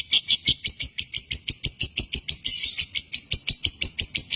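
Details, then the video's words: Lovebird in Indonesia delivering a quick run of bright, piercing chirps, about four per second, with a buzzy stretch near the middle. "Burung lovebird josan indonesia"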